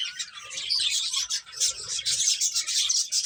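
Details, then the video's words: A group of finches feeding, chirping with busy, overlapping high twitters and thin tweets running continuously. "Cute Birds Chirping Sounds | Beautiful Finches Eating"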